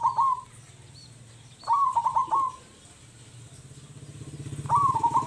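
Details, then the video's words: Local zebra dove giving a loud, full-voiced call: stuttering cooing phrases of rapid notes, repeated about every three seconds, over a steady low engine hum. "PERKUTUT LOKAL GACOR suara besar"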